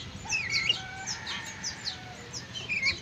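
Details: Captive black-capped lory from an Indonesian breeding effort, a talking bird with a large vocabulary. High squeaky chirps and short twittering notes repeat unevenly, with a faint long whistle beneath.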